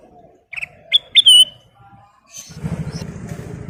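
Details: Short bright whistled phrase from a kutilang emas bulbul in 'full isian' song, three rising notes and a slurred finish, followed by a rumble of traffic-like background noise.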